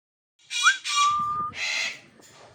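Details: Grey parrot calling: a short rising whistle, then a long steady whistled tone, followed by a harsh broad rasping squawk, with a faint fainter note at the end.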